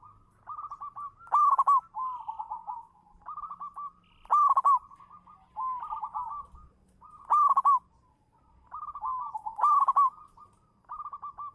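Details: Local zebra dove, a champion lure bird, in perched song. Trilled cooing phrases alternate with four loud, rough accented bursts about every three seconds.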